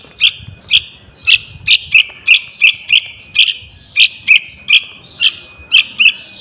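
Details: Young yellow-vented bulbul calling to lure wild birds, giving evenly punctuated sharp chirps about twice a second, each with a raspy tail, over a quiet background.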